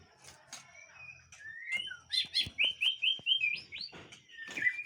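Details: White-rumped shama from a breeding aviary, a soft opening of single notes followed by about seven evenly repeated, loud whistled notes roughly every quarter second, then a closing flourish.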